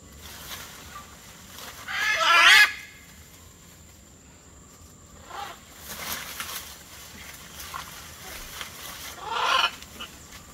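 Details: Great green macaws at the Ara Manzanillo sanctuary, Puerto Viejo de Talamanca, Costa Rica, give harsh, raspy squawks, one loud burst followed by several fainter ones spaced a few seconds apart, over a low background hiss.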